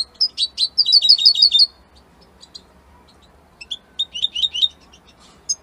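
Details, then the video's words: European goldfinch, tied to Italy, singing a strong song: bright high twittering bursts and rapid repeated chirps, then a pause before another run of liquid tinkling notes. "من أقوى تغاريد طائر الحسون الجميلة الحسون ايطاليا"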